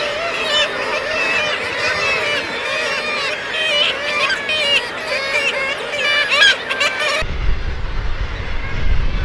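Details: Black-legged kittiwakes at their breeding colony on the steep sea cliffs of Fowlsheugh reserve, south of Aberdeen, Scotland, in the breeding season, fill the air with overlapping nasal, wailing name-giving calls, before low wind rumble takes over at the end.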